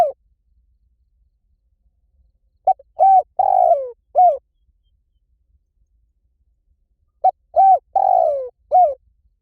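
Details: Spotted dove lure call for drawing in wild doves, two cooing phrases about four seconds apart, each a few short mellow coos, then a long drawn falling coo and a closing note, in otherwise quiet surroundings.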